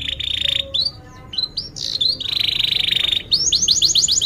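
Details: Canary lure song meant for young birds learning to sing: long steady buzzy trills broken by short gaps and swoops, closing with a quick series of rising chirps.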